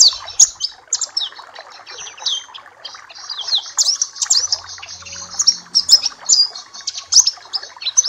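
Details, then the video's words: Papua black-capped white-eye song for training caged birds, dense high-pitched warbling of fast chirps and trills delivered without pause, with a soft low hum in the middle. "Masteran dan terapi pleci Papua black cappe !!!"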